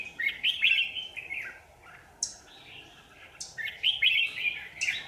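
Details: Red-whiskered bulbul acting as a lure at a power-line trap, 27 January 2019; repeated warbled phrases with sharp high clicks or snaps interrupting, in two main bursts.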